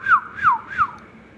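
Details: Rose-ringed parakeet, a pet ringneck, giving three clear, falling whistles, each sliding down in pitch, evenly spaced about a third of a second apart, with a faint background hum.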